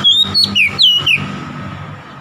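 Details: Oriental magpie-robin song meant to provoke a rival: four bright whistled phrases, several sweeping downward, over a faint steady hum, then background noise only.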